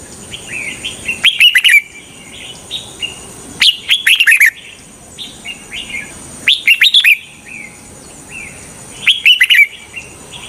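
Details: Decoy red-whiskered bulbul song meant to attract wild bulbuls for trapping: four crisp, chirpy phrases spaced roughly every two and a half seconds, with softer short notes between them and a thin steady high tone behind.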